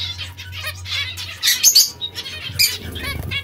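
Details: Zebra finches at bath time, giving rapid nasal, harmonic chirps in dense overlapping bursts, with fluttering wings and splashing, and a steady low electrical hum underneath.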